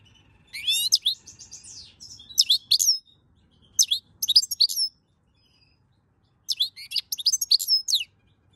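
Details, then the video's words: European goldfinch singing in May 2022, described as warmed up: bursts of rapid, high, tinkling twitters and buzzy trills, each phrase lasting about a second, separated by brief pauses, with a longer silence before a final run. "Chant chardonneret chauffer"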